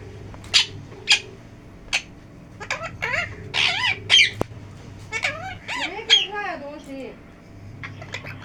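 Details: Pet talking parrot, locally called mithu, giving short squeaky chirps followed by wavering, speech-like warbled phrases that bend up and down in pitch, with a faint steady hum behind.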